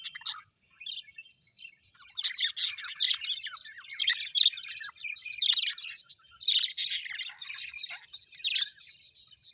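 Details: Colorful Australian budgies kept as pets chirp happily in waves of busy, chattering warbles with scratchy squeaks and downward chirps, separated by brief quieter gaps.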